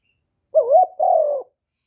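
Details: Spotted dove calling as a decoy to attract wild birds: a wavering, rising coo followed at once by a longer, level, slightly hoarse coo, both low and soft, with no other sounds.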